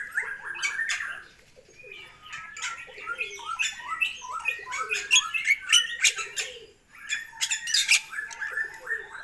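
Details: Long-crested Bali myna giving busy gacoran chatter: rapid, harsh, stuttering notes with short whistled slurs, packed in dense runs broken by a brief pause, plus scattered sharp clicks.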